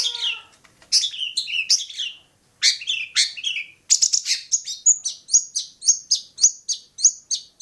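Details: Varied, chattering song of a Long-tailed shrike at Bobotsari, opening with jumbled scratchy and warbled phrases, then a steady series of about a dozen sharp high notes spaced roughly every third of a second.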